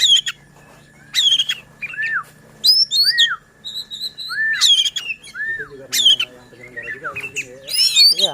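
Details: White-rumped shama song intended to agitate other shamas and coax reluctant singers: clear downward-curving whistles alternate with sharp chips and buzzy bursts, some phrases repeated, while a steady hum and quiet chatter continue underneath.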